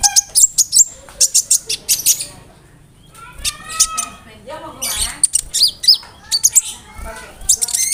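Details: Konin bird in lively song filled with mimicked cricket and other bird phrases, used for tutoring other songbirds; bursts of high, sharp chirps and squeaky notes alternate with lower whistled slurs and brief pauses.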